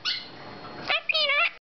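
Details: A pet Hahn's (red-shouldered) macaw that says "Hi Peanut" talks in a squeaky, nasal voice: a drawn-out syllable, then a quick wavering phrase with rising and falling pitch, in a quiet room.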